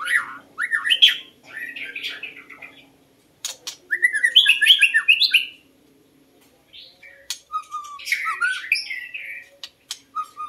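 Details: Lure recording of a white-rumped shama singing varied phrases of rich whistles, warbles and quick rising-and-falling notes in several bursts with pauses between, plus scattered sharp clicks and a faint low hum.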